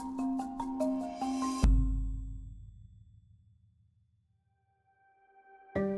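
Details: Bright mallet-percussion music with marimba-like notes, a deep struck tone fading into silence, then a new chord at the end.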